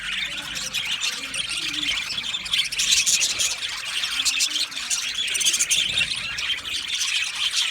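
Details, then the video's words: Male budgerigars in an aviary colony, recorded 8 December 2025, chirping together in a dense, continuous high chatter of overlapping squeaks and warbles, with no clear pauses throughout. "Beautiful Male Budgies Sounds | Budgies chirping sounds"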